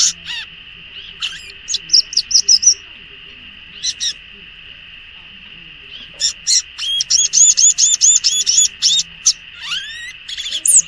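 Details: Wild violaceous euphonia song: scattered high chirps, then a fast chattering series of bright rising and falling notes, with a continuous high drone behind throughout.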